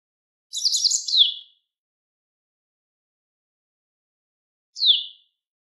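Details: Japanese wagtail (Motacilla grandis), a riverside bird, singing: a bright, rapid twittering phrase of high warbled notes lasting about a second, then after a pause a single descending slurred note; no other sounds.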